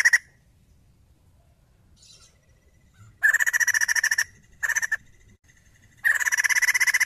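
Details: Female white-crested laughingthrush calling in separate bursts of dry rapid rattling, three harsh chattering runs between quiet gaps, with one faint short note early on.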